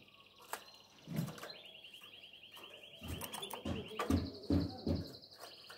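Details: Canary in breeding condition calling the female with song: smooth, even trills at a middle-high pitch, a long rolling phrase followed by a higher trill, partly masked by low thumping knocks.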